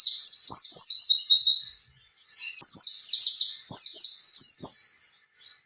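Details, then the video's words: Oriental white-eye in vigorous rolling song used to coax young captive birds into singing: rapid high chattering sequences of slurred descending notes, repeated in dense bursts, with a few faint low clicks. "pleci gacor ngalas ngerol ampuh buat terapi burung pleci bakalan"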